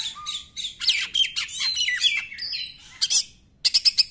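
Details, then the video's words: Oriental magpie-robin song used to provoke other magpie-robins into singing: rapid harsh buzzy bursts mixed with sweet whistled slurs, ending in a quick run of five sharp repeated notes. "KACER NEMBAK, UNTUK PANCINGAN KACER YANG TIDAK GACOR"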